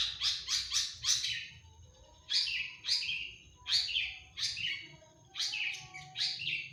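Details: Long-tailed shrike, a hobby songbird said to sing loudly and constantly, full of mimicked fills and sharp bursts: harsh, buzzy, chattering notes in quick clusters of three or four, separated by short pauses, over a quiet background.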